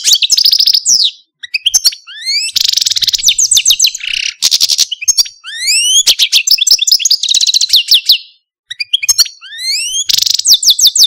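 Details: Algerian Parva goldfinch, a caged pet male, singing bright loud phrases of rising slurred whistles, rapid buzzy trills and twittering chatter, separated by short pauses.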